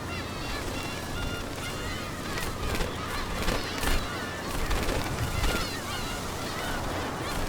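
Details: Black-tailed gulls trade harsh, nasal, overlapping cries in quick bursts as territorial fights flare among incubating birds in a crowded breeding colony on Dokdo island, with nests 50 cm–1 m apart in summer, over a low rumble of wind and surf.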